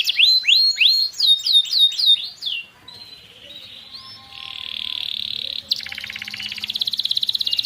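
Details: Canary song used to coax a stalled canary into singing. Several loud hooked, swooping whistles are followed by softer, steady rolling trills and a buzzy ending.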